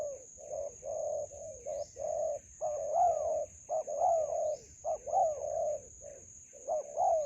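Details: Spotted dove calling during decoy trapping in a melaleuca grove: a series of short, low cooing notes in uneven groups, some with a brief rising inflection, over a constant high-pitched electronic tone and faint chirps.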